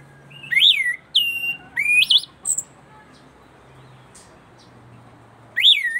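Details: Punglor (orange-headed thrush) from East Nusa Tenggara, now singing readily before the camera: a few loud rising whistled phrases with high chips, a long quiet gap, then another rising whistle.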